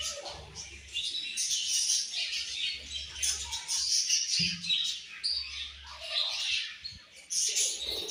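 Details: Budgerigar flock at morning feeding time, steady high chattering and chirping from many birds, swelling and fading in waves, with a sharp click near the fourth second.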